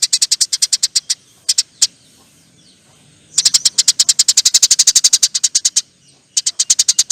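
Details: Eurasian tree sparrow in lively song, delivering long "nyerecet" chatter. Fast, even strings of bright high chirps include one unbroken run of about twenty-five notes after a quiet gap.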